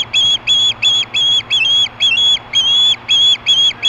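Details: Shrill, insistent screams of an osprey calling for fish at Hellgate in 2014, around 4:19 PM; about a dozen high whistled notes, each with a rising flick at the start, in quick, uneven succession with a faint low hum behind.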